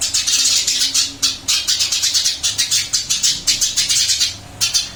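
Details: After a move to a new cage, a captive Eurasian tree sparrow keeps up a nearly continuous stream of loud, scratchy chirps repeated several times a second, with only a few short breaks.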